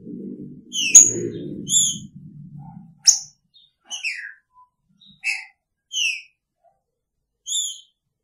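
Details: Caged green-winged saltator with its female in the same cage, Picharro song: low rustling noise during the first three seconds, then crisp high whistled notes and downslurred phrases repeated about every second.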